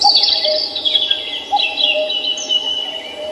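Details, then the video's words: Birds singing in the morning at Samcheong Park, Seoul; dense high-pitched twittering and warbled phrases fill the clip above a constant low background drone. "The song of birds starts at Samcheong Park in Seoul today."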